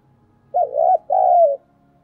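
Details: Spotted dove kept as a lure, thổ-style voice, giving a single two-part coo: a brief wavering note, then a drawn-out soft note sliding gently downward.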